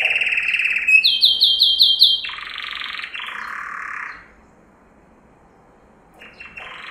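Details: Yellow canary, Serinus canaria, training song: a rolling trill, fast swooping repeated notes, then lower buzzy rattles fading out, with a short quiet gap before soft notes resume.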